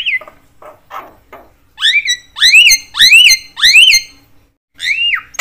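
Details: Javan myna, a chattering bird said to provoke other mynas: a few soft rasping notes, then a loud series of four rising, harmonic whistled calls about every half second, and a final falling whistle.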